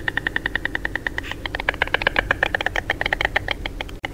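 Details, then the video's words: White stork producing fast, percussive clattering, with steady evenly spaced knocks at first that become denser and more irregular, over a low background rumble. "WHITE STORK SOUNDS"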